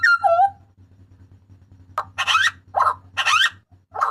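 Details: Papuan butcherbird: a clear falling whistled note, then loud, harsh, screechy bursts at irregular intervals over a low steady hum.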